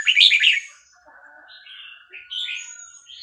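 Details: Red-whiskered bulbul of Vietnamese stock delivers quickly linked song phrases while a chick recording plays; a loud bubbly warble opens, followed by softer whistled notes and a long thin tone.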